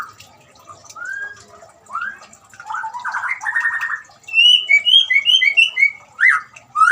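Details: White-rumped shama singing, meant to get a quiet shama to start singing: soft slurred whistles lead into a loud buzzy rattle, then a quick series of sweet, paired whistled notes, ending in rising upslurs.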